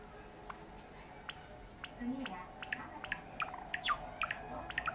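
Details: A sakura (cinnamon-morph) Java sparrow sings while pecking at a hangnail on a finger: a loose run of dry clicks and tapping notes that quickens into high, bell-like chirps, over a low indoor hum and faint murmur.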